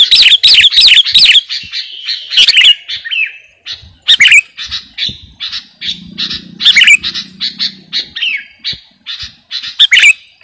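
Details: A kutilang garuda sooty-headed bulbul in energetic song, used as a master recording for training and luring birds. Loud, rapid whistled chatter at the start gives way to scattered buzzy bursts and a steady note, with a low hum midway.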